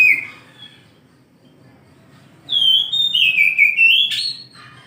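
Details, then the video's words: Oriental magpie-robin morning song: an opening whistled slur, a quiet gap, then a sustained phrase of clear descending whistles ending in an abrupt rising harsh note. "KICAU KACER DI PAGI HARI"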